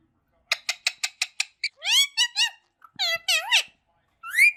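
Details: Rose-ringed parakeets in a family group, playing and speaking Urdu and Hindi: a quick run of six short clipped notes, then longer speech-like squawks that rise and fall in pitch, with short pauses between them.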